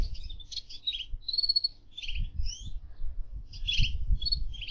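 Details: Gouldian finch in an aviary: bursts of high, thin chirps and short buzzy, warbling notes with brief gaps, some notes sliding upward, over a steady low rumble of background noise.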